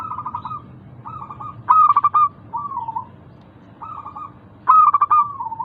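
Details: Local zebra dove song lure for caged doves: a lead bird gives loud, rapid, broken cooing bursts while other doves fill the gaps with softer, smoother trilled coos, in a quiet setting.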